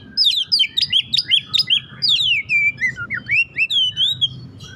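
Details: Caged White-rumped shama, hot-tempered and singing a tightly packed varied song: quick sharp chips and whistled upsweeps, then looping slurred whistles, over constant low rumbling noise.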